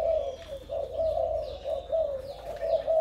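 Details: Male decoy spotted dove of Malaysian stock, cooing in a low, rounded voice, phrases pulsing roughly once a second, with faint high chirps from other birds above.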